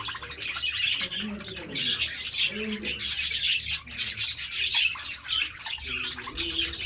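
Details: Several budgies feed on seeds and fresh vegetables, keeping up a busy stream of bright chirps and scratchy warbles, while deeper cooing phrases sound now and then below.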